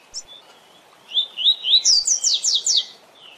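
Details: Training song of the Tui Tui Zel Zel style from a double-collared seedeater: three rising slurred whistles flow into six rapid, strongly accented high descending notes, with a soft trailing note at the end.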